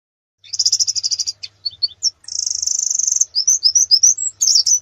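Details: Canary singing a master song used to train competition birds for a national contest: a fast trill of repeated notes, short separate chirps, a long steady high trill, then quick rising and falling whistled notes.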